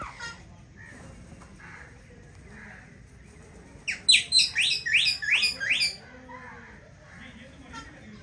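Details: Aviary pair of Indian ringneck parakeets at their newly found nest, letting out a fast burst of shrill, rising screeches about four a second for two seconds, surrounded by quieter faint calls.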